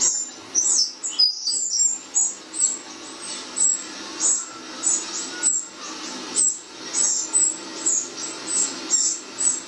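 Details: Wrens in a garden, one perched by a kitchen window, react to their played-back song: a long run of high, clipped chirps, quick at first, then settling to about two a second.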